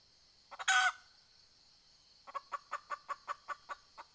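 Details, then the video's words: Red junglefowl hen used as a decoy for wild fowl, giving a loud, harsh, broad squawk, then a short pause and a fresh series of about ten rhythmic clucks. "ไก่ต่อแม่กะตาก poj qaib dib tsauj zoo cuab heev"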